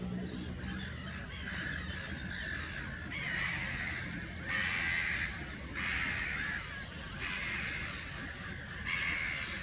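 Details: Eurasian coot chicks beg with harsh, raspy squeaks, each about a second long, repeated every second or two over a low steady rumble, while fed water plants by a parent on Lake Zurich at Rapperswil, 3 July 2020.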